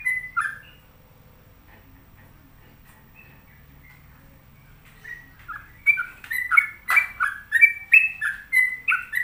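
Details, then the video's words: Trucuk, the sooty-headed bulbul, opens with a single bubbly phrase, goes quiet for several seconds, then breaks into a rapid, loud run of rolling warbled notes repeated about three times a second. "Pokoknya Cari Trucuk yang Gacor"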